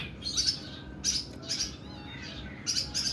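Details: Oriental magpie-robin in harsh 'nembak' song style: broad raspy scratchy bursts roughly every half second, with a thin wavering whistle between them.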